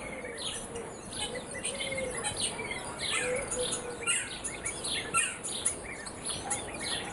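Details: Birds singing in the morning, with many quick high chirps and tweets tumbling over each other in a dense, continuous chorus against soft background noise.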